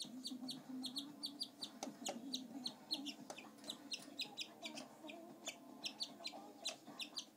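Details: A shy pet male canary indoors chirping repeatedly, with quick high tweets in clusters several times a second against a constant low household hum and a few clicks.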